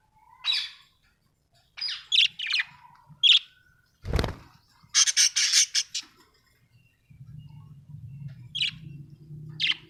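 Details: Budgies in a home setting giving separate high chirps, a sudden loud thud, a burst of rapid scratchy chatter, then more single chirps over a low hum.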